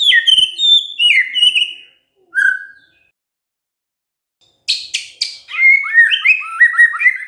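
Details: White-rumped shama singing vigorous 'gacor' song: quick descending whistled phrases, one lower slurred note, then about two seconds of silence before sharp high chips and a renewed rapid stream of varied whistles.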